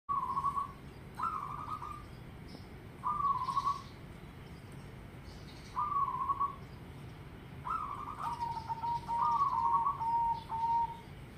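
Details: Zebra dove singing: short, hollow, trilled cooing phrases on a steady mid pitch, repeated about every two seconds with pauses between, the later phrases running together in a longer rolling series over a low background hum.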